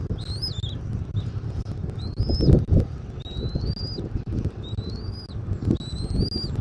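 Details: Bald eagle on a nest in Southwest Florida on 13 January 2024, early afternoon: a run of high, sliding whistles, some rising, some arched, over low rumble with a couple of loud knocks.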